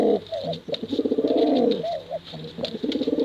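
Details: Continuous rolling coos from male and female pigeons in 'bekuran' style: low, warbling, pulsing notes with a few arched higher coos, steady and loud throughout.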